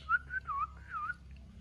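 An Asian pied starling gives a brief run of clear, wavering whistles, a few short notes then longer dipping ones, over a faint low indoor hum.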